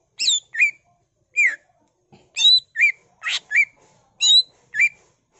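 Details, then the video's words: Greater green leafbird (cucak ijo) singing vigorously in a full-isian style packed with borrowed phrases: clear whistled notes sliding around the upper range, mixed with short harsh bursts, delivered in quick irregular pairs against a silent background. "CUCAK IJO GACOR BONGKAR ISIAN NGENTROK PANCINGAN CUCAK IJO GACOR FULL ISIAN"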